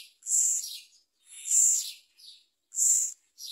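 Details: Myna chick taking a large blue caterpillar from its parent, calling with three strong rough rasping bursts spaced over a second apart, with faint chirps between.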